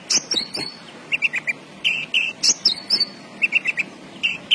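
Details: Javan bush lark in full, lively song, delivering bright chirps and clipped whistled notes in irregular clusters with short pauses, some notes sharply high and thin, others lower and rounder.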